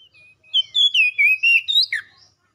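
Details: Oriental magpie-robin, offered as therapy to spur a kacer into persistent singing; a run of loud whistled notes sliding between high and mid pitch, closely linked phrases over about two seconds.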